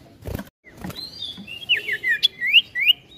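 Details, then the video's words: Ashy tailorbird (sirtu) in energetic ngetril ngetrol song: after a couple of soft knocks, a thin drawn whistle leads into a string of short, swooping whistled notes that alternately fall and rise. "SIRTU GACOR NGETRIL NGETROL"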